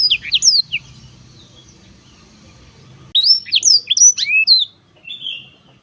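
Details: Black-throated canary singing two short phrases of high sweeping whistled notes separated by a pause with low background rumble, ending in a thin drawn-out note.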